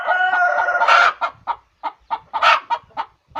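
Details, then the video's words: Egg-laying hen call opening with a long harsh nasal squawk, then spaced short clucks and a second loud squawk midway. "suara ayam bertelur"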